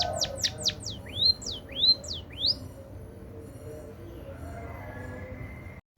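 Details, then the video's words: Munia trained with canary song: a quick run of high, steep downward-sweeping whistled notes, then several rising slurred notes, about eight phrases in under three seconds, followed by a faint steady tone over low background hum. "Suara Burung Emprit Isian Kenari"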